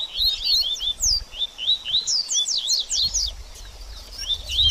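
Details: Double-collared seedeater 'baderninha' song used to warm up a bird after moulting: quick high whistled slurs and chirps in fast irregular phrases, with faint low rumbling in the background.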